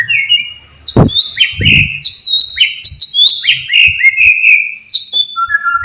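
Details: White-rumped shama with sharp, lively song used to enrage rival shamas: a fast series of bright whistled notes, each dropping in pitch, repeated about twice a second, with two soft low knocks early on.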